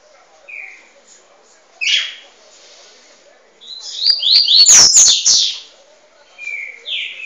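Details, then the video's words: Double-collared seedeater song for training: a short whistled note, a few faint notes, then a loud burst of rapid buzzy sweeping phrases with sharp clicks, ending in rising whistled notes. "Treino de coleiro"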